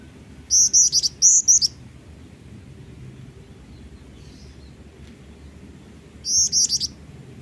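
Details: Black-winged flycatcher-shrike (Jingjing batu), a small bird in full song, giving very high, thin chirps in quick bursts of four or five notes, separated by a few seconds of quiet, over a faint low hum.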